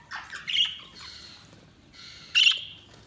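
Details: Budgies giving harsh, buzzy squawking chirps, two loud strident bursts separated by quieter rasping chatter, all high-pitched against a fairly quiet background.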